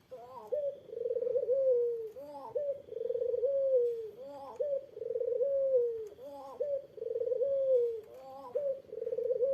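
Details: Eurasian collared dove coos to goad a rival into replying: steady, rolling, throaty phrases repeated about every two seconds, each a short upward note followed by a long sliding purr.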